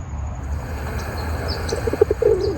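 A Rock Pigeon gives a few soft, low, throaty coo notes in quick succession near the end, over a steady low rumble.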